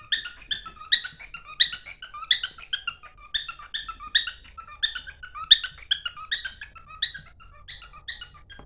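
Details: Pet cockatiel singing while running toward its mate indoors: a steady series of short, bright whistled chirps with harmonic overtones, roughly two per second, each note slightly rising, in a quiet small room.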